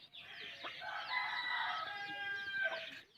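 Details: Hen feeding her chicks; a continuous chorus of high chick peeps and trills, bright and overlapping, with faint low clucking beneath.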